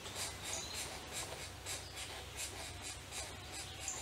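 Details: Young pileated woodpeckers begging to be fed inside their nest cavity in an Eastern Ontario forest, Canada, June 2019; rapid hissing, raspy pulses repeat several times a second over a steady low hum.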